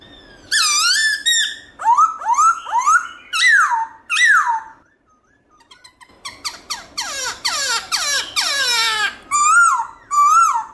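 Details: Black-throated laughingthrush delivering varied forest-style song, loud and clear in many voices, for stimulating caged birds. Swooping whistled phrases, a short pause, then harsh rapid chatter and sweeping notes, closing with two bright rising-falling whistles.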